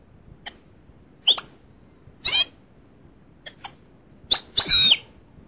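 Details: Goldfinch giving short, high twittering notes in separate bursts roughly once a second, some sharp and chirped, others buzzier and drawn out, with the final burst the longest and harshest, over a quiet background.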